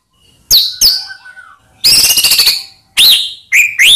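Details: White-rumped shama song used as a lure to rouse silent shamas: loud sharp whistled notes sweeping down, a rapid buzzy rattling burst, then clear rising whistles, no other sounds.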